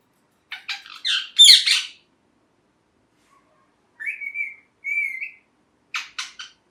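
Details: Talking pet ringneck parrot: a cluster of loud rasping chirps, a pause, then two clear level whistles and a final pair of short chirps.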